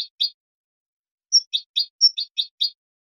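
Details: Goldfinch basic song with plaintive and ornamental notes: two brief chirps, a pause, then a sharp whistled note leading into a rapid series of buzzy twittering notes, repeated twice, with no other sounds.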